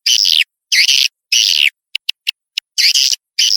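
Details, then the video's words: Lure sound for drawing swiftlets in, with long raspy buzzing chirps of about half a second each, separated by short gaps, and a few brief clicks in the middle. "SUARA PANGGIL WALET"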